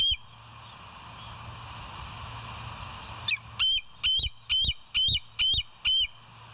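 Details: Bald eagles at the West End nest, live nature cam, 7 July 2023 at 06:21. About three seconds of quiet outdoor hum, then seven high, piercing piping notes at roughly two per second.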